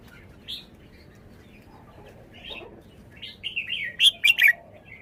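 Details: Caged red-whiskered bulbul displaying its song style: quiet, scattered chirps at first, building into a run of loud, rapid, slurred whistled notes in the last two seconds.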